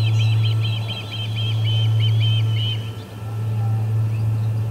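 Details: Osprey calling while ejecting visitors from the Charlo P2 nest, August 20, 2020, 12:10pm MDT: quick high whistled chirps for the first few seconds, then near quiet with a persistent low hum.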